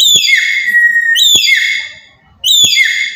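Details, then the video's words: Black-capped lory from Papua giving loud calls used to provoke other birds: three piercing, harmonic whistled notes, each starting high and sliding down into a long flat tone, with sharp clicks at each onset. "Burung Nuri Kepala Hitam Dari Papua//Suara Lantang Buat Pancingan"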